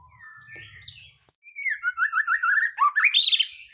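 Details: Lure song of a white-rumped shama, meant to rouse other birds to sing: soft gliding whistles open, followed by a rapid run of rich, rolling whistled notes climbing to a bright high flourish near the end.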